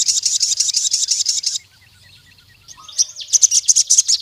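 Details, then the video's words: Wild-type crimson sunbird calling a rival male: a long, rapid buzzy high trill, a pause with faint thin notes, then a second brisk run of sharp, high, evenly spaced notes. "SUARA BURUNG SOGON NGALAS GACOR MEMANGGIL LAWAN JANTAN INI"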